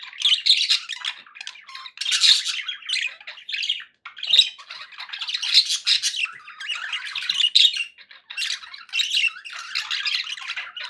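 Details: Several pet budgerigars calling happily, a lively jumble of raspy chirps, squeaks and warbled phrases delivered in uneven bursts separated by brief gaps.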